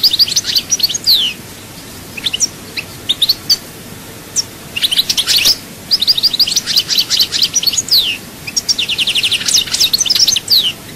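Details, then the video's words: Goldfinch from Souk Ahras singing chaayba song: lively, near-continuous twittering with tinkling high notes, bursts of rapid repeated chirps and a fast rippling trill near the end. "chant chardonneret souk ahras chaayba"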